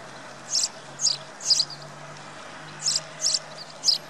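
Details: House Sparrows in the Wittlich valley, 2017, give six short, high chirps in two quick runs of three, about half a second apart, over a faint low hum; finding: Sparrow.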